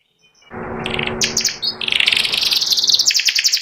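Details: Ngeriwik song of a white panda canary beginning over low background noise: a few faint tones, then quickening high chirps build into a dense, rapidly pulsing trill.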